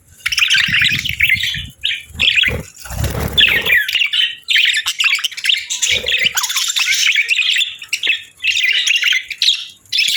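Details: Budgerigars (parakeets) on a winter morning while being fed warm meals, chirping in dense, overlapping bursts of high chatter with short pauses, plus a brief low rumbling noise near the start.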